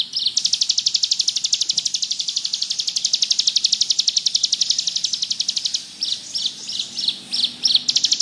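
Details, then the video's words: Bar-winged prinia, called ciblek gunung, singing hard in ngebrem fashion for tutoring birds: a sustained rapid high-pitched buzzing trill, ending with several louder, separated chirps and a brief return to trilling. "Burung ciblek gunung gacor ngebrem cocok buat masteran"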